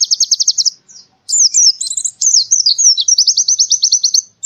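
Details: White-eye, Central Java, Indonesia, forest-like tutor song: a short fast trill, brief pause, then a tumbling run of high twisting whistles that settles into an even, rapid chirping trill.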